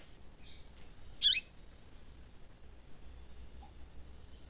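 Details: Female double-collared seedeater call, used to stimulate a cold male into song; one brief, sharp, high chirp follows a faint, softer note, with a quiet background.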